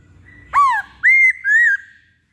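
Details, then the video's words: Masked laughingthrush (poksay Hongkong) lure song: three loud, pure whistled notes about half a second apart. The first dips and falls, and the next two rise and then level out. "Pancingan Poksay Hongkong"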